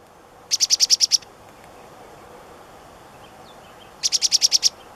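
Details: Black-capped chickadee calling: two bursts of about seven rapid, evenly spaced buzzy notes, each burst lasting under a second, about three seconds apart, over a quiet outdoor background.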